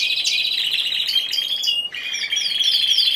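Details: Single Timbrado Español canary at a singing competition, 26 November 2015: a continuous high trill with a short break near two seconds, then a clear steady trill with quick swept notes above it.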